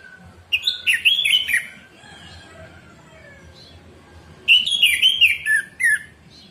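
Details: Orange-headed thrush song for training caged birds, recorded in the morning: a short run of bright, warbling whistled notes, then a pause, then a second similar phrase ending in lower slurred notes.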